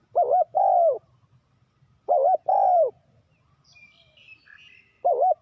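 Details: Spotted dove used to lure wild doves for trapping repeats a two-part phrase, a wobbling coo then a long falling croo, about every two seconds, with faint high bird twitters in between.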